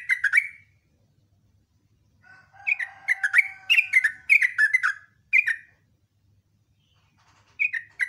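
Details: Morning ngecruk and nembak song from a sooty-headed bulbul: short bubbly phrases of slurred notes, one long run in the middle over a faint steady whistle, then a final brief phrase.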